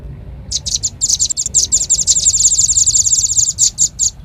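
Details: Velvet-fronted nuthatch (rambatan paruh merah) lure call: after half a second of quiet, a fast run of sharp, high, dry chips runs steadily to the end, several per second, with faint low background hiss.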